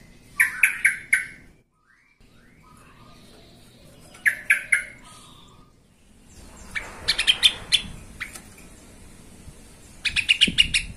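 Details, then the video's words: Repeated short bouts of scratchy, buzzy chattering from a yellow-vented bulbul in a lure recording used to provoke other bulbuls into singing. The bouts are separated by brief pauses, and soft whistles are heard between them. "TRUCUKAN EMOSI BONGKAR ISIAN"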